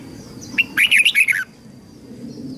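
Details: Red-whiskered bulbul training song, meant to help young birds learn their song and to spur newly caught birds to sing: one quick, cheerful phrase of rolling whistled notes, falling at the end, with a soft background hum.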